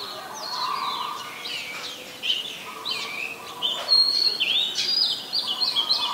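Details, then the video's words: Resident Oriental magpie-robin singing in Ubon Ratchathani, Thailand, on 20 March 2022, filmed with a Nikon P1000: rapid, varied sweet whistles and slurred notes, growing louder toward the end, over a low steady hum. "นกกางเขนบ้าน (Oriental Magpie Robin)"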